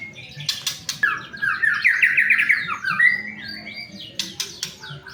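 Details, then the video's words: Lure recording of a white-rumped shama singing to prompt other shamas to sing: a clear, rapid warbling phrase of trilled whistles rising and falling, framed by short sharp clicks at the start and end. "pancingan murai batu agar cepat bunyi"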